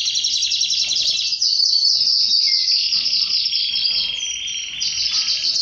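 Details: Canary singing while courting its female: rapid rolling trill flowing into a brief low whistle, then a long buzzy, high, continuous warble.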